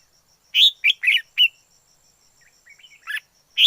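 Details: Wild red-whiskered bulbul giving a rapid run of four loud chirpy whistled notes, a soft warbling interlude, then two more bright notes; background otherwise calm.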